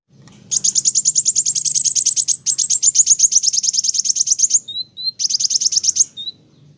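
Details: Olive-backed sunbird, locally called kolibri wulung or kowul, singing vigorously: a long, fast, high buzzy trill of evenly repeated notes, a short break, then a few thin whistled notes and a final burst of trill.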